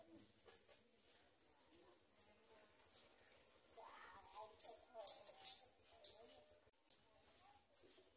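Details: Garden sunbird chick being fed by a parent: thin, very high squeaky chirps, many short upward-flicking notes given irregularly about once a second, with faint low murmuring underneath.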